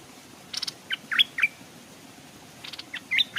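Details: Stripe-throated bulbul used as a decoy, hung by a stream while wild birds approach without landing. Two lively phrases of clear, sliding chirps, several quick notes each, separated by a pause of over a second.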